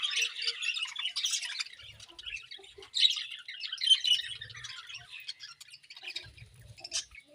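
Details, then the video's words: Morning feeding of budgerigars, with scratchy chirps and squawks, loudest in bursts at the start and around the third and fourth seconds, plus faint low knocks and rustling. "Budgies Morning Feeding and Chirping Sounds"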